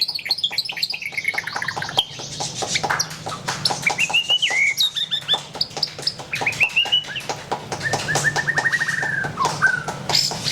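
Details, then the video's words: White-rumped shama in a long, varied song of rapid descending trills, rich looping whistles and drawn-out slurred phrases, with steady ticking noise behind. "SUARA BURUNG : Pilih Murai Batu Gacor"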